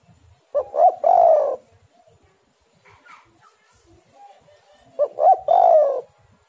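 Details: Spotted dove cooing as a lure. The phrase is heard twice: two brief clipped notes run into a long, hollow, descending coo. Faint distant calls fill the gap between phrases.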